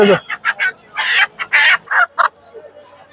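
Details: A native (deshi) hen at Tongi market in Bangladesh gives loud, harsh squawks, about seven rapid bursts in three seconds, as she is picked up; her call is taken as a sign she is fully healthy; a man's voice is faint.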